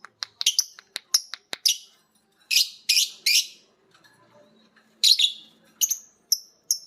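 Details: A biola green lovebird and a PB Piet lovebird picking up ngekek from each other as a master recording sounds. Bursts of shrill, harsh squeaky chirps come in clusters, with sharp clicks and short pauses between groups.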